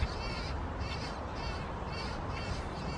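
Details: Common grackle chicks being fed in Framingham on 9 June 2016; high, harmonic squealing begging calls in about five bursts over three seconds, above a loud constant low rumble of traffic or wind.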